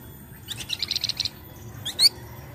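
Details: Pied triller, a young untrained bird, singing to prompt other birds to sing: a short run of high, clipped notes in quick succession, followed by two sharp rising chirps, with faint low hum beneath.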